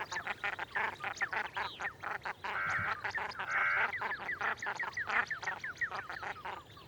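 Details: Wild common shelduck giving rapid rows of hoarse, clipped quacks, with a few thin, downslurred whistles mixed in toward the end, over a steady low background hiss.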